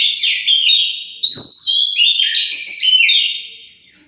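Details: Oriental magpie-robin (kacer) lure song, used to provoke other birds into answering: loud, dense run of high whistled and warbled phrases with rapid trills and slurred notes, broken by a brief dull knock near the start, then fading away at the end.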